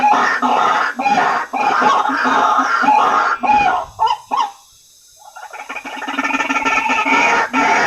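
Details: White-breasted waterhen lure sound meant to attract waterhens: rough, repeated croaks in a steady stream, broken by a short near-silent pause in the middle before the calling resumes.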